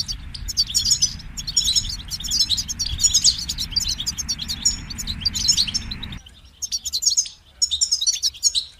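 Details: European goldfinch in fast twittering song over a broad rushing background noise that stops abruptly after six seconds, leaving the bird's tinkling phrases clear.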